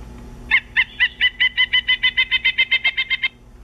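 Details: Pileated woodpecker recorded on 13 March 2015: a loud, even run of about seventeen clipped, ringing notes delivered at roughly six per second, lasting under three seconds, over a faint low background hum.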